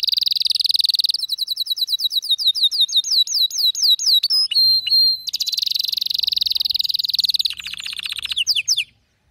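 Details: Frenzied male canary song: a dense buzzing roll, then a run of swooping looped whistles, a few pure sliding notes, another rapid rolling trill and a quick stuttering phrase before falling silent.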